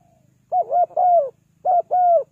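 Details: Spotted dove lure call: two pairs of low, hollow coos, each pair a brief note followed by a longer, softly falling one, over a faint low rumble.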